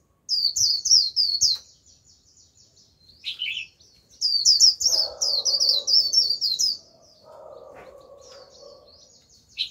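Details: White-eye decoy bird warbling to attract a wild flock: repeated fast bursts of high, thin twittering with a lower buzzy note between them, and a faint, steadier lower tone sounding in the background midway.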